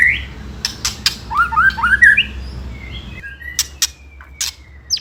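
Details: White-rumped shama song in ketrekan style, a lure to provoke rival birds: scattered sharp clicks, then a rising sequence of short whistled slurs, followed by a thin drawn-out whistle and more clicks.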